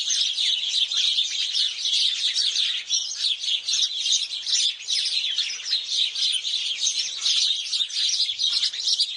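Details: Several sparrows chirp while bathing and splashing, a dense, overlapping chatter of short, bright notes without pause.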